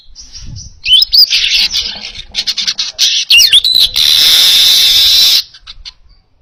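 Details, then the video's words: Clear weaver song meant for training other birds: dense rasping chatter with looping twangy slurs, ending in a drawn-out harsh buzzy wheeze, then a few soft chips. "Masteran Suara Burung Manyar Gacor Jernih Cocok Untuk Masteran"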